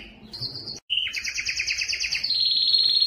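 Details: Singing Belgian canary, played to stimulate females for breeding: a high note, a brief break, then a rapid two-toned rattling trill that settles into a steady, piercing whistled tone.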